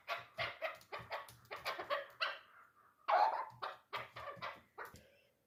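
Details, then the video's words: Hunting chukar partridge, three years old, known as a 'dulan' chukar: rapid choppy clucking notes in quick bursts, a brief pause, then another faster run of clucks. "Кабки дулан"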